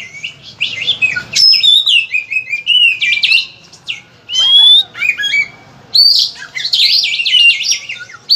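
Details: Oriental magpie-robin song meant as a lure for other kept birds: rapid run of varied whistles, trills and downslurred notes, loud and continuous with brief breaks, a faint low hum beneath.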